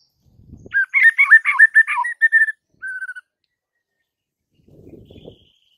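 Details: White-rumped shama song meant to provoke other shamas into singing: a quick series of warbled slurred notes, then a short flat whistle, with faint low rustling before and after.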